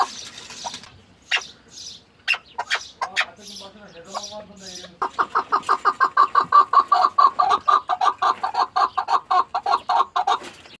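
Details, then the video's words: Chukar partridge: scattered notes and a brief soft murmur at first, then a fast, loud, regular run of clucking calls lasting about five seconds. "Muhteşem keklik sesi"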